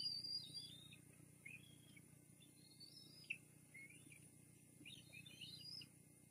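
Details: Bald eagle chicks at the Fraser Point nest on 18 May 2022, getting big bites as an adult feeds them and stealing food from each other: faint, high, thin chirping squeals in scattered clusters over a steady background hum.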